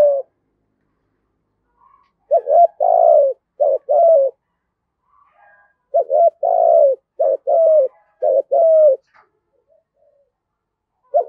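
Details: Lure spotted dove giving "thổ" style coos in two bursts of phrases: clipped wavering notes, then fuller falling coos. Faint soft notes fill the gaps.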